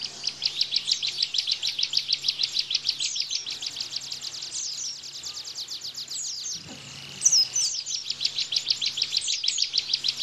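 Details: Long run of Bar-winged prinia 'tembakan' song for tutoring cage white-eyes. Rapid sharp chirps repeat for over six seconds, break briefly with a thin whistle, then resume at the same quick pace. A faint hum sits underneath.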